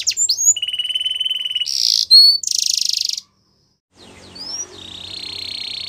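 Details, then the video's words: Belgian canary sings a rapid, varied training song: fast rattling trills, bright whistled notes and buzzy high tours, broken by a brief silence before it resumes. "Belgian Canary Song"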